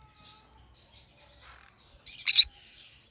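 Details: Green-cheeked conure, a pet parrot, singing soft high chirps and a short low warble, then one loud sharp squeak near the end.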